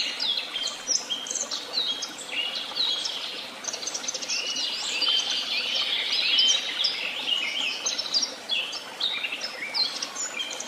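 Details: Chorus of birds at Tehidy Woobs, with many overlapping twitters, clear sliding whistles and rapid chirps forming a thick, lively wall of song.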